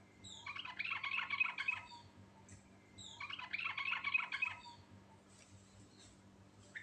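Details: Natural Sooty-headed bulbul singing in the lively rolling ngerol style packed with fill-in phrases: two dense bursts of chattering, warbled notes, each over a second long, separated by short pauses, with a faint hum underneath.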